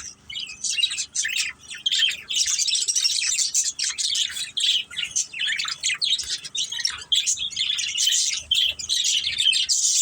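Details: Several pet budgerigars, a family group at play, chirping almost without pause: dense, scratchy warbles and quick chattering notes overlapping into a busy, high-pitched stream.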